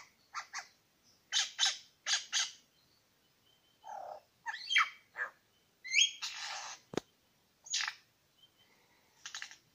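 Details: Varied song from one of two male superb lyrebirds at Lookout Point in New England National Park: scattered loud harsh chips and squawks, whistled fragments and a sharp click, separated by short pauses.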